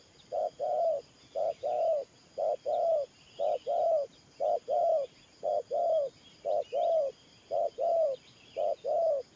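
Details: Spotted dove decoy cooing in the thổ pha nước gù manner, about ten quick pairs: a short hoot then a longer coo that rises slightly and falls, very regular, with soft birdsong in the background.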